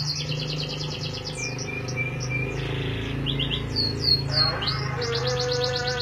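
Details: A lovebird practising its chatter: fast buzzy trilled phrases and short upward squeaks, repeated several times, against constant low droning background noise.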